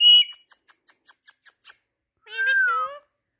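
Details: Talking Indian ringneck parakeet: a loud buzzy note, a run of soft regular clicks, then a drawn-out nasal, harmonic syllable sliding gently downward.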